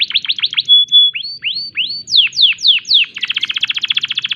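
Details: Breeding-condition canary in full song in a unique phrase style: quick chips, a flat whistle, rising swoops, loud falling slurs, then a rapid, even trill.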